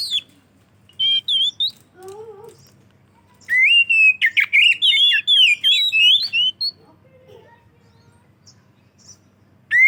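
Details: Oriental magpie-robin song for luring other magpie-robins: scattered whistles and a low nasal phrase, then a sustained three-second outpouring of varied whistled and twittering notes, with more song starting at the end.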